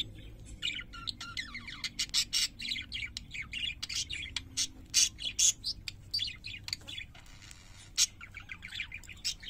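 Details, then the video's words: Chattering parakeet warble: rising and falling whistled slurs mixed with scratchy chirps and clicks, dense and continuous, over a low hum. "Singing Parakeets"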